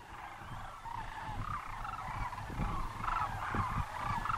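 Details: Sandhill Cranes at Muleshoe Wildlife Refuge, Texas: rolling, trumpeting calls overlap from several birds, rising and falling in a steady chorus, with low wind rumble underneath.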